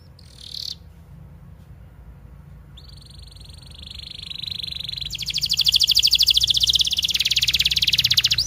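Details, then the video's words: Canary in full song, used as tutor song for young canaries and for birds that have stopped singing: a brief high note, a pause, then a long rolling trill that builds into a loud, rapid, buzzy trill. Low hum underneath. "MASTERAN KENARI 30 MENIT DURASI PANJANG"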